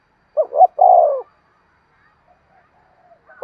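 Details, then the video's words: Spotted dove rousing coo for stimulating decoy birds: one phrase of two quick hooting notes and a long, husky descending coo, followed by near silence and the start of another phrase. "tiếng cu gáy thúc sung dùng kích bổi tập mồi hiẹu quả nhất"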